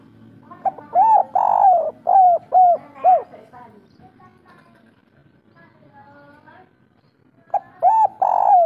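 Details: Spotted dove of the local kuk 3 song style, a soft-voiced, lively singer: a phrase of low hoarse coos, one drawn-out note followed by short arched notes, then a quiet gap with faint background murmurs before the phrase begins again.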